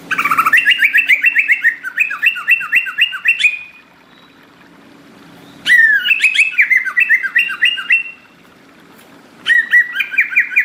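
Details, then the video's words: Persistent, gacor greater green leafbird singing in tropical forest: long rapid strings of bright slurred whistles, around twelve notes per phrase, in three phrases broken by short silences, with a soft hum underneath. "cucak ijo gacor"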